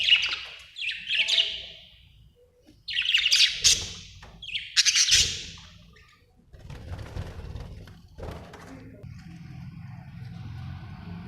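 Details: Budgerigar giving three loud, rasping, broadband squawk-chirps spaced about two seconds apart, followed by softer scratchy twittering over a low background hum.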